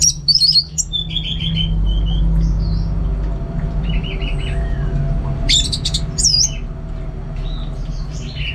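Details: Orange-headed thrush, a kept bird from Singaraja in North Bali, singing: scattered bursts of high sharp chirps and short buzzy trills, with a louder cluster of warbled notes near the end over a steady low hum.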